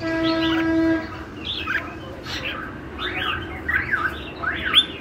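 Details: Red-whiskered bulbul, song described as lân hầu bò: a steady low hum opens, then a run of quick slurred whistled phrases that rise and fall, several close together toward the end.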